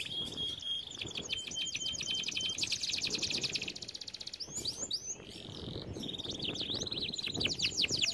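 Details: Canary singing for song training: a steady high whistled note, then dense rapid trills, a brief pause and a burst of quick descending sweeps, over a faint background hiss.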